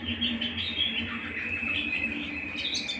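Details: Canary singing at home, a continuous warbling trill with quick high flourishes, over a soft low background hum.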